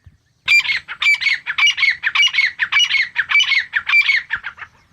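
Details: Grey francolin calling: a loud, harsh, rapidly repeated series of grating notes, roughly two per second, with sharp squawky syllables in a steady rhythm; no other sounds stand out.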